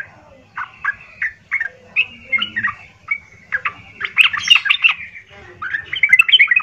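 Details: Yellow-vented bulbul song used to provoke other bulbuls into answering, loud and harsh: choppy bursts of gurgling, bubbly notes, some short warbled phrases, building to a denser fast chatter near the end.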